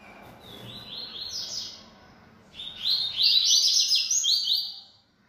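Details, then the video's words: Two high, buzzy song phrases from a bold caged yellow-bellied seedeater: a short rippling burst, a brief pause, then a longer, louder run of rapid chirping trills lasting nearly two seconds. "Coleiro Baiano Atrevido Cantando Muito"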